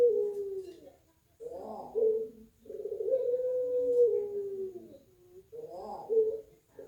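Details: Pelung-style puter dove kept at a Banyuwangi bird farm, prized for a thick "kwok" voice, gives deep hollow coo phrases. Each starts with a rough burst and swells into a sustained low tone, repeated roughly every two seconds with short silent gaps.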